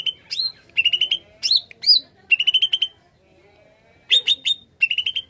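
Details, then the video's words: Greater green leafbird in full, vigorous song used as a lure for catching wild birds. Bright whistled notes come in short repeated bursts, with quick rising slurs and chattering trills separated by brief pauses. "Kicau Cucak ijo gacor paling ampuh pikat bunyi burung bahan"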